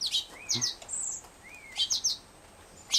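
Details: Black-headed Grosbeak fledgling in care, not yet self-feeding, asking for food. Two soft arched whistles sound about a second apart between bright, high chip pairs, and a brief thin high squeak is heard in between.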